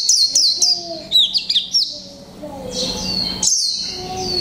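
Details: Caged 'mộc tinh' Japanese white-eye, one month in the cage, in 'líu pha chòe trống' style: a fast series of high downslurred chirps, then a sustained bright warbling phrase with one sharp note mid-way.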